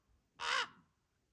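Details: Common raven fledgling, still with its parents and impatiently begging while waiting for food; one harsh, hoarse, broadband caw lasting about a third of a second, then quiet low background noise.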